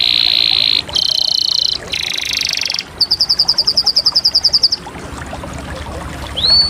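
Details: Canary singing a sequence of sustained buzzy trills, each about a second long, followed by a rapid evenly pulsed roll of clipped notes, then a pause and a short rising whistle at the close.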